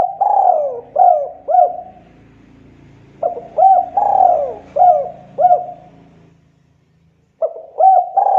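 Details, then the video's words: Spotted dove cooing: low soft coos in phrases of a long slurred note and short hooked notes, two phrases separated by a quiet gap, then a third beginning. "SUARA BURUNG DERKUKU TEKUKUR GACOR"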